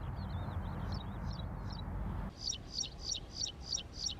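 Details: Graceful prinia, a small resident bird of Saudi farms, male and female in courtship display; sharp chirps repeated about three times a second, fainter and wavering at first, then louder and evenly spaced, over low rumbling background noise.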